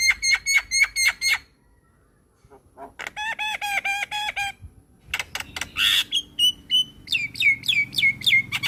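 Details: Javan myna, white-eyed type, in full energetic song for training other birds: bursts of sharp, evenly repeated whistled notes in quick series, a short pause, then buzzy slurred whistles and fast repeated chips.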